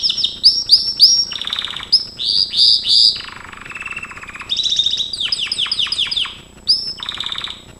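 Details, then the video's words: Gloster canary singing in a training recording: a varied song of rapid rising notes, buzzy rolls and a sustained low trill, with phrases changing every second or so. "GLOSTER CANARY SINGING"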